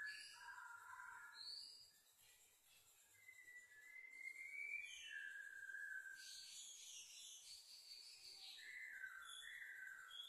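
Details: A long-tailed black-tail White-rumped shama sings a varied run of rich whistled phrases, some sliding up or down, mixed with higher chattering and scratchy notes.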